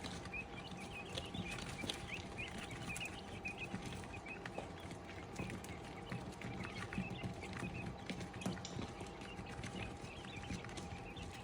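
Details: Several quail chicks peeping: brief, thin, high chirps repeated irregularly and overlapping, fairly quiet, set against constant low-pitched hum and occasional soft knocks.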